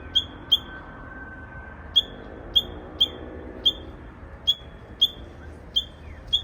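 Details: ['Odd song of a Japanese bush warbler, maybe a young bird rehearsing: two quick high chips, a pause of over a second, then about nine more short, sharp falling-onset notes at uneven half-second intervals.']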